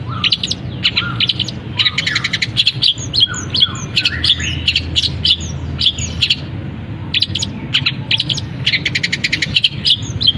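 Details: Long-tailed shrike kept caged, singing hard after its cover is opened, weaving canary-like phrases and other birds' calls into its song; ten seconds of nonstop rapid chattering trills, crisp chirps and short whistles.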